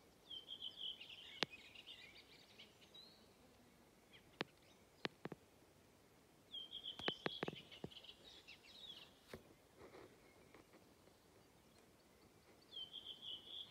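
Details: Redwing song from Hedströmstjärnen, Galtström, 7 June 2023: three high twittering phrases, each a rapid run of squeaky notes at steady pitch, spaced roughly six seconds apart, with scattered clicks and knocks in between.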